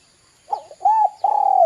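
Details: Spotted dove cooing, used as a lure to get young doves calling: a short rough note, then a mellow hooted coo, then a long drawn-out coo that slides gently downward, with a faint steady hum behind.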